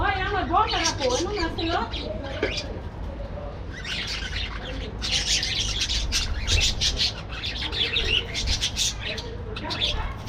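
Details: Morning in a breeding colony of aviary budgerigars: fast wavy warbling notes rise and fall at the start, followed by bursts of sharp scratchy chirps from several birds, with a low background hum.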